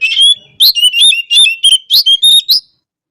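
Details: Singing Oriental magpie-robin (kacer) used to provoke rival males into display; a fast burst of loud, ringing whistles broken by crisp clicks, about eight phrases packed into two and a half seconds, ending abruptly in silence.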